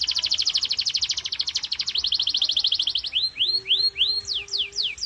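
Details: Canary song used as a stimulus track to prompt other canaries to sing: a fast, high rattling trill of rapid repeated notes, then a slower series of swooping, downslurred whistles over a faint low held tone.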